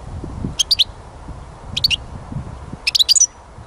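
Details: Short, sparse high chirps from a goldfinch, given in small clusters of two to five notes about a second apart, over a steady low background rumble.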